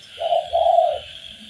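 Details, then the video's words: Spotted dove, known locally as tekukur, in a training master: a single mellow phrase of a short coo followed by a longer, drawn-out, slightly falling coo, with a steady high buzzing backdrop. "MASTERAN BUAT BURUNG TEKUKUR SUPAYA GAC0R DAN BERGAIR4H"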